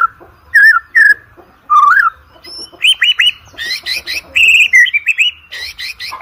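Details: White-rumped shama in full song, used as a lure recording for training competition birds: sweet looping whistles, then rapid high rising notes and dense, buzzy chattering phrases mixed with bright whistles.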